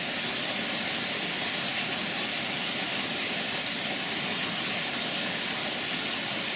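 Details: Continuous broadband hiss like machinery or rushing steam fills the recording, with no distinct animal calls.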